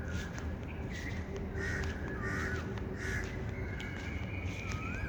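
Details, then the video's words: Bird calls outside: a run of harsh, caw-like bursts with a couple of slurred, wavering notes between them, all heard over a constant low rumbling background. "birds chirping sound"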